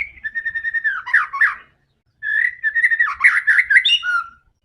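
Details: Fighting song of a white-rumped shama meant to provoke other birds: a steady whistled run turning into rapid chattering, a pause, then a dense burst of varied chirps and whistles.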